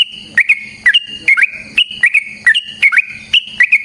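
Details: Yellow-vented bulbul fighting song with a long rapid delivery, used as a lure to get other bulbuls singing eagerly; sharp, bright whistled notes, often paired, come about every half second over a steady high tone and a faint low hum.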